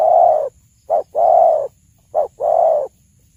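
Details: Spotted dove cooing rhythmically, as used to lure birds when hunting: a long husky coo, then two short-long pairs, each short note followed quickly by a longer, even, breathy coo.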